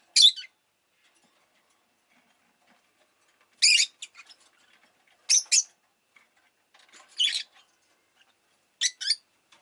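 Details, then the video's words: Pet rosy-faced lovebird giving harsh, high chirps in short bursts of two or three notes, separated by pauses of one to two seconds, in an otherwise quiet room. "Lovebird Chirping Sounds"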